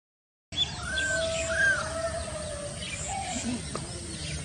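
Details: Stork-billed kingfisher, Pelargopsis capensis: two short arched whistles, then a long, drawn-out lower tone that slowly falls, over soft outdoor background noise.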